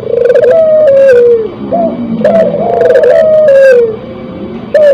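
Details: Spotted dove in breeding condition delivers back-to-back purring coos. Short bright notes introduce long, gently descending tones, and a fresh phrase begins at the end.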